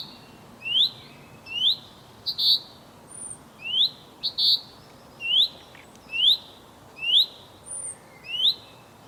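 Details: Male common chaffinch calling to his mate: clear rising upslurred whistles repeated about once a second, mixed with short bright ringing notes and a few faint high thin sounds, over a quiet background.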